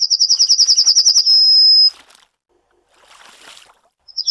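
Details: Yellowhammer (Emberiza citrinella) delivering one song, about a dozen rapid, high, rattling notes that flow into a long, level final note. Faint rustling follows.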